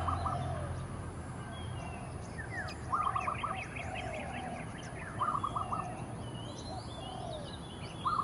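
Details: Oriental magpie-robin territorial song in early morning: a short, low, fluty warbled phrase repeated every two to three seconds, with bursts of higher chirps and a steady low rumble.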